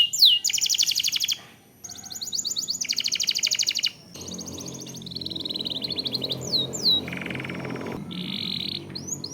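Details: Canary song used as lure audio to trigger singing in other canaries, long rolling style: high buzzy trills in bursts, a brief lull near mid-clip, then rising whistled sweeps and more rolled trills over faint background hiss.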